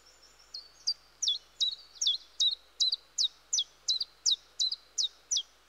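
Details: Woodland chiffchaff song: a soft opening followed by about fourteen loud, high, downward-sliding notes in a steady alternating chiff-chaff rhythm, around three each second, over light background noise.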